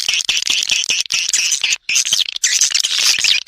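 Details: Swiftlet lure sound used to attract the birds: choppy bursts of shrill chirps and short downslurred squeaks separated by brief silences, with clicks between the bursts.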